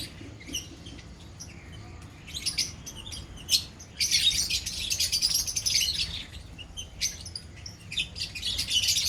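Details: A lovebird colony: scattered shrill chirps at first, then from the fourth second a thick burst of overlapping squeaky chatter, easing into intermittent high calls.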